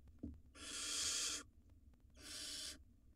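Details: Nest box camera on wild barn owl nestlings feeding on rodents; a sharp knock, then a long rasping hiss followed by a slightly shorter, quieter one, both broad and airy.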